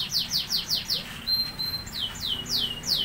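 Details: Paired lovebirds, caged, recorded at a workshop in Bandung: rapid high chirps sliding downward, about five a second, a short steady whistle in the middle, then more chirps, over constant background rumble.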